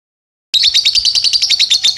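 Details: Young lovebird giving its ngekek song, used as a training song for other birds: a long, rapid, even series of high sharp chirps, around ten per second, without a break.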